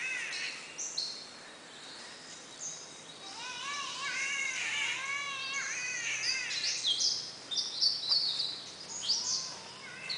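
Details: Birdsong in a Brisbane rainforest, Australia: several birds overlap with repeated rising and falling whistled phrases, bright high chips and trills, loud and dense through the recording.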